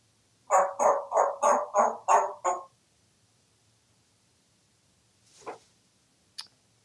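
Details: A talkative male African grey parrot, hatched June 1997 and kept at home in Texas, imitates a dog after being prompted "doggy": seven quick, hoarse barks at about three per second, then a soft breathy sound and a sharp click.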